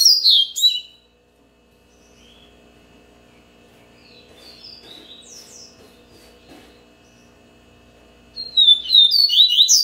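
A double-collared seedeater delivers two bursts of fast, high, sweet twittering notes about eight seconds apart, separated by near silence with a faint low hum.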